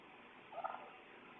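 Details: A wild turkey strutting in a home's yard, caught on a doorbell security camera, gives one brief, rapid gurgling gobble lasting about a third of a second, over a steady hiss of background noise.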